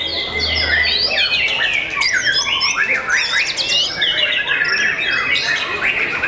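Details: Young white-rumped shama pouring out a dense, loud song of rapid sweeping whistles, rising and falling slurs and scratchy chatter with no pause, with other bird voices woven through.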